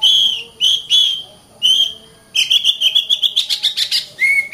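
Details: Oriental magpie-robin delivering a few drawn-out level whistles with short pauses, then a rapid trill-like run of about fifteen crisp high notes ending on a lower whistle.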